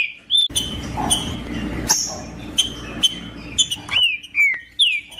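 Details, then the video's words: Green-winged saltator singing, used to warm up a cold caged bird: spaced sharp chips over a hissy background, ending in a string of rich, looping whistled notes that rise and fall. "MELHOR VÍDEO PARA ESQUENTAR TRINCA FERRO COM TRINCA FERRO CANTANDO"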